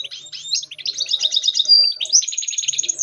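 A goldfinch mule sings a fast, bright twittering stream of high chirps, broken once by a thin slurred whistle before the rapid chatter resumes.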